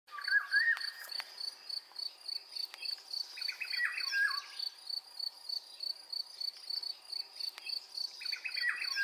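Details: A mistle thrush in Iberian fields with poppies sings three short fluty phrases, each separated by a pause of a few seconds, over a steady high pulsing insect chorus.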